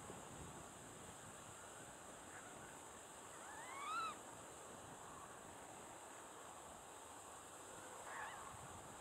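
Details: In November 2012, a water rail calling from vegetation along the Weeringse Dijk, Peizermaden, De Onlanden, Netherlands, gives a single short squealing call with a bent, rising-and-falling pitch, then a fainter note, over steady wind and hiss.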